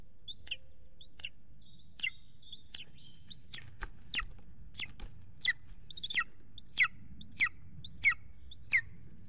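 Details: Nest-camera recording from Estonia, 3 June 2020, evening, golden eagle with a huge prey delivered to the nest: rapid high squealing yelps that grow louder and closer together, over a low rumbling background.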